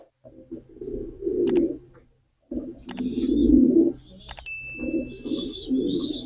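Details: Pigeon giving a run of low rolling coos, a short silence, then more coos, with a few sharp clicks and faint high chirping from other birds late on.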